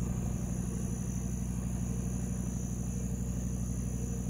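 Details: Deep, steady engine rumble with a constant high hum fills the recording, and no animal voice is heard.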